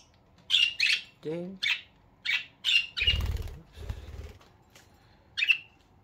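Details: Pet budgies in the morning making happy sounds: a series of short, bright chirps spaced about half a second apart, mixed with a woman's greeting and a burst of wing flapping.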